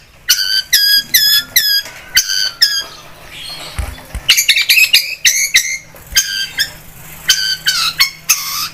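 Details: Long-tailed shrike, singing energetically and used as a lure to stir other birds to sing: harsh, squawky harmonic notes in quick bursts of three to five, with short pauses and a faint low hum behind.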